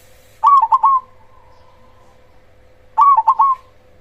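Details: Zebra dove of the black cemani type, a loud-voiced lure bird meant to provoke other zebra doves into calling: two phrases of three quick staccato coos, each ending in a drawn-out trailing note, over a steady low electrical hum.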